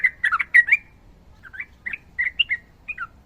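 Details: Sooty-headed bulbul, fighter type, a quick cluster of bubbly chirped notes followed by a series of spaced, short warbled whistles.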